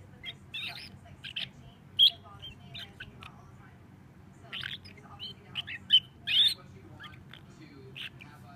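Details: Juvenile starling perched on a person's shoulder, chitter-chattering while drowsy and occasionally falling asleep: soft scratchy chirps, squeaks and short trills in loose irregular bursts with pauses, sometimes rising to sharper squeaky notes.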